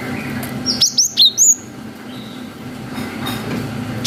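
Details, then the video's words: Cinereous tit song of the long 'wucit' style, played to make young birds respond; one quick phrase of four high, thin whistled notes, each sliding down sharply, then low background hum. "GELATIK BATU GACOR WUCIT PANJANG"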